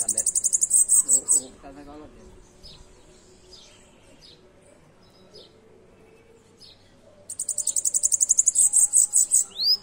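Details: Bananaquit singing: two bursts of very high, thin, rapid buzzy trills, the first about one and a half seconds long, the second over two seconds, with quiet faint chips and low background murmurs in between.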